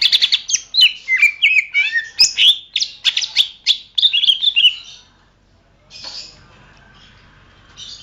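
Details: Greater green leafbird masteran song for training songbirds: dense, rapid chattering and whistled notes for five seconds, then quiet with brief scratchy bursts.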